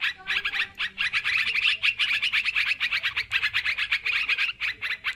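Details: Sooty-headed bulbuls calling noisily on a lure recording: rapid, evenly pulsed bursts of clipped, bright chirps, several per second, overlapping into a steady chattering wall of sound.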